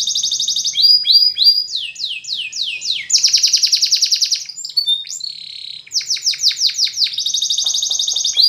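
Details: Spanish Timbrado canary singing to train other canaries: changing tours of rapid rolling trills, swooping falling notes and a smooth whistled phrase, each repeated several times in quick succession.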